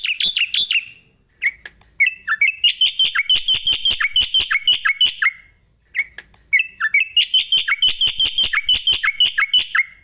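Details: Starling song used as master audio to train other cage birds: long bursts of fast, repeated chirps with sweeping whistled notes, broken by brief pauses, loud and clean.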